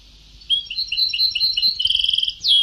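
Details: Old recording of a goldfinch singing Sebtawi-style song: a quick chain of high, liquid twitters, speeding into a fast trill before a sharp falling note.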